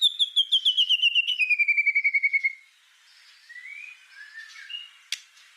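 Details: White-rumped shama (murai batu) master song in the rapid 'full tembakan' style, used to tutor other songbirds: a fast run of about fifteen clear whistled notes sliding lower over two seconds, then soft scratchy twittering and one sharp click.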